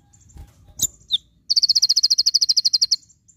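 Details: Javan white-eye (konin) singing in the rapid-fire 'tembakan' style used as a tutor recording: a few scattered high chirps, then a fast burst of about seventeen evenly repeated high, piercing notes over roughly a second and a half.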